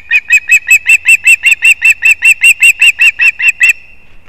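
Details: Osprey chicks competing at a nest built in a leaning old pine in Kurzeme, Latvia, 11 September 2024: a fast, steady run of about seventeen sharp, high whistled yelps, roughly two or three per second, then stopping abruptly.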